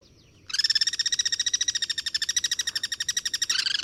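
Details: Guira cuckoo calling in the wild while sentinels sit high in a Duranta, cross-singing: a sustained three-second run of rapid, even, harsh pulses, loud and steady, slightly slowing at the end.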